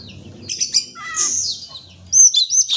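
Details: Oriental magpie-robin song used as a lure to get birds that are reluctant to sing to answer: scratchy high notes, a short falling whistle near the middle, then loud bright whistled phrases near the end over a faint low hum.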